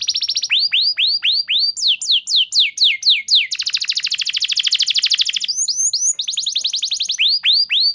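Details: Canary singing a lure song to coax caged canaries into song: slow series of upward-swooping whistles, then descending notes, then a dense buzzy trill lasting about two seconds, ending with more swooping whistles.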